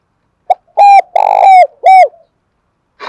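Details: One loud spotted dove phrase, 'giọng đồng thổ' coo style: a short opening note, a rolled purring middle coo and a downward-slurred closing note.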